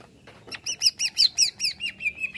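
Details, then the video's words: Greater green leafbird responding to a played sound with a rapid series of about nine arched, slurred notes, roughly four per second, after a few soft clicks. "CUCAK IJO LANGSUNG BEREAKSI DENGAR SUARA INI"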